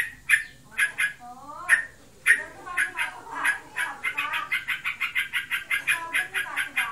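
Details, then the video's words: Caged sooty-headed bulbul, reportedly in breeding condition, in ngebren style: a few spaced sharp chirps and a descending slur, then an accelerating, rapid run of bright repeated notes. "Burungku birahi. Ngebren abiss."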